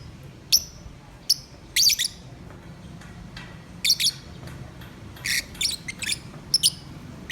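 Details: Pet lovebirds singing: scattered sharp, high, squeaky chirps and short squawks, some in quick pairs and clusters, with gaps of quiet room noise between them.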